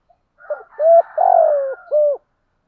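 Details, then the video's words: Spotted dove coo used to lure and stir captive birds into calling: a short pip, a steady hoot, a long buzzy descending coo and a closing hoot, with a faint higher overlapping voice. "Tiếng chim cu gáy mồi giọng lôi cuốn hấp dẫn đủ bài[ THÚC GÙ , GÁY GỌI ]"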